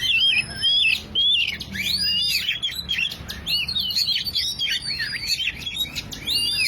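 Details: Lure recording of an oriental magpie-robin singing, meant to prompt a silent bird into song; a bright, fast stream of looping whistled notes and arched slurs, about two phrases a second, with faint background hiss.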